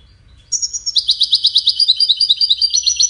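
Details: European goldfinch of the Widani type, described as a happy bird, singing bright, high twittering trills of rapid, evenly pulsed notes that shift slightly up and down, after a half-second pause, over a faint low rumble.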